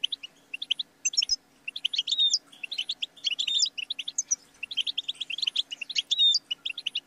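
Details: Rapid tinkling goldfinch song with liquid twitters and a few clear whistled notes, delivered in dense bursts with short gaps; faint low hum in the background.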